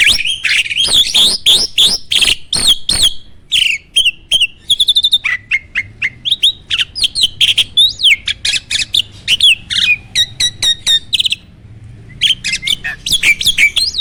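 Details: Starling song meant to trigger other birds to sing back: a long, dense stream of clicks, rattles and short whistles. Harsher notes come early, then a choppier chattering phrase, with a short silence near the end.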